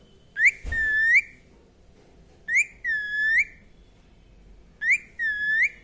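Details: Indian ringneck parakeet chirping indoors: three clear whistled phrases about two seconds apart, each opening with a quick rising note, holding a steady tone, then sweeping upward at the end; one soft thump early on.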